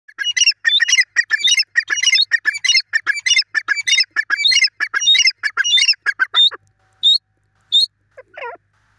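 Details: Grey francolin (teetar) calling loudly: harsh, squawking notes repeated rapidly and rhythmically for about six seconds, each note ringing with sharp overtones. The calls then break off into a few scattered notes and a brief, lower, curling call at the end.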